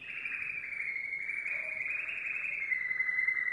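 A domestic canary holds a long, fast, rolling trill at a steady high pitch that dips slightly at the end, with no other sounds.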